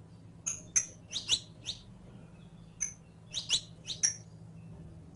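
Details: Captive saffron finch on a singing-lesson recording: irregular high chirps and short twitters in small groups separated by brief gaps, with a constant low hum behind.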